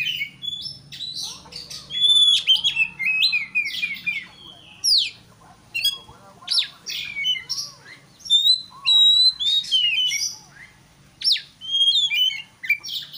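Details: Provoking song of an Oriental magpie-robin meant to make an opponent quickly aggressive: bright whistled slurs mixed with harsh, buzzy notes, in loud phrases of one to two seconds with short quiet gaps between.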